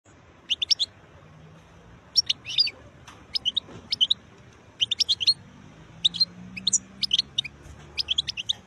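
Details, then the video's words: Wild European goldfinch singing: bright, tinkling high phrases of quick twittering notes, given in short bursts about every second or two, with brief pauses between groups over a faint low background hum. "تغريد حسون خلاوي نوطات جميلة"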